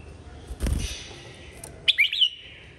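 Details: Red-whiskered bulbul at a singing contest delivers a bright, quick warbled phrase of rising and falling notes, followed by a drawn-out fading whistle; a thud and distant bird notes come just before.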